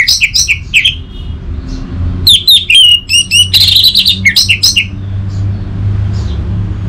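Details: Orange-headed thrush singing in a stimulus track meant to get silent birds singing, from Singaraja, northern Bali. It gives rapid, varied phrases of high whistled notes and scratchy chirps, tumbling quickly, with a pause before a dense middle burst.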